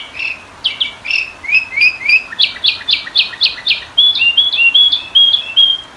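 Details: Sooty-headed bulbul song recorded for training and luring: rhythmic slurred whistles give way to a fast string of sharp downward notes, then a chain of high clear whistles, all delivered rapidly without pause.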